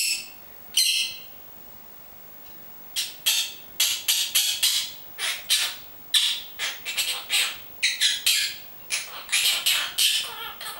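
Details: A pet monk parakeet, a talking bird that says its own name and Italian words like love, kiss, come here, gives a run of short, harsh, broadband squawky syllables in quick bursts after a brief opening note.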